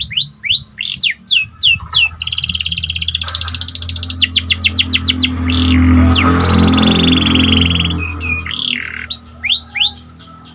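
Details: Kenari panda canary singing vigorously, a track meant to raise excitement in listening birds: fast rising whistled sweeps and rapid buzzy trills, bursts and long rattling runs, over a steady low mechanical hum.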